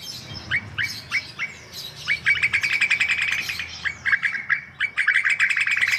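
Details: Chatty white-vented myna song used to coax other birds. Short upslurred notes lead into long stretches of fast, buzzy, rattling chatter repeated in bursts.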